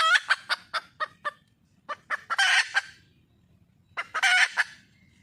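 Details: Wild junglefowl hen calling for a male: a burst of sharp clucks, then more clucks climbing into a loud scratchy squawk, and another squawk after a short gap.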